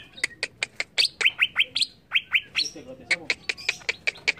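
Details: Agitated greater green leafbird song of rapid, sharp chips and short downslurred whistles, delivered in an uneven stuttering series with a brief pause partway through.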